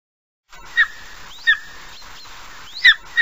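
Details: Golden eagle giving four short, sharp, downward-slurred yelps, each preceded by a faint rising squeal, spaced irregularly over about three seconds against a steady background hiss.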